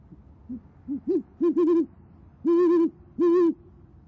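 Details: Great horned owls at a nest watched by camera in Oklahoma City, evening of 28 January 2014, the female hooting to call the male, who answers. Several short low hoots build into longer steady hoots, the last two long and evenly spaced.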